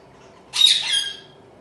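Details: Home-bred Zebra finch chick calling: one harsh, nasal, buzzy squawk lasting about half a second, bright and broad at the start and trailing off, in a quiet room.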